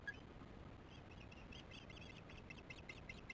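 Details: Alarm from an osprey at the nest as chicks are fed, 22 July 2015, 19:08: after a quiet start, a run of piercing arched chirps builds and repeats rapidly, with wind-like hiss underneath.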